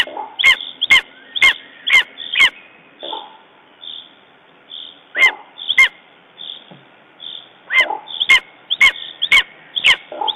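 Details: Lesser spotted eagle on its nest in Estonia, 14 June 2011, shaken after a raven attack, gives bursts of loud clipped yelps, five in quick succession, a pause with lower softer notes, then another fast series.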